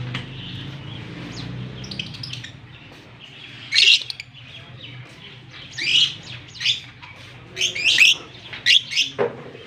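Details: Pair of lovebirds, Fischer's and blue personata, kissing in Larkana, Sindh on October 20, 2023; after a quiet start, loud piercing squawks and shrill chirps come in short clusters every second or two.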